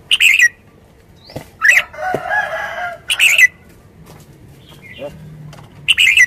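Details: Red-whiskered bulbul singing short, bright warbled phrases about every one and a half seconds, with a burst of harsh rustling noise and faint low hum between phrases.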